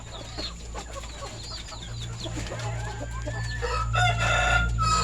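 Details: Rooster of kampung or Bangkok chicken stock, red and orange plumage, at a farm in the afternoon while chickens are fed; scattered chirps give way to a rising, loud crow at the end over a steady low hum.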